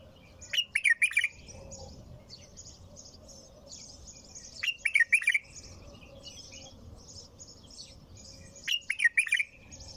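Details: Bulbul keeping up its song: three warbled, trilling phrases spaced roughly four seconds apart. Continuous thin, high twittering and a low rumble run between them.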